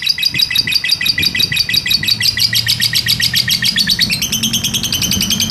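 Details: A lovebird's long 'ngekek' trill, kept as a master recording to teach other birds: rapid layered high chirps pulsing steadily, stepping slightly lower near the end, with faint low room hum beneath.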